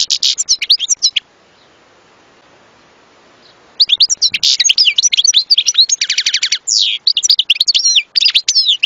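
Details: Song of a European goldfinch, a long liquid jumble of high tinkling twitters, trills and buzzy slurred notes, broken by a silent gap of about three seconds before the fast medley resumes and continues.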